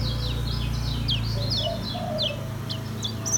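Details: Lemon-bellied white-eye from Lombok in easy-paced ngejos singing: a steady series of high, quick down-slurred chirps and twitters against a constant low humming background.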